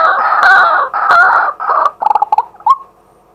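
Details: Male white-breasted waterhen calling in daytime, recorded live with a set-up camera: three loud, harsh croaking notes in quick succession, then a burst of faster, choppy notes that fade out.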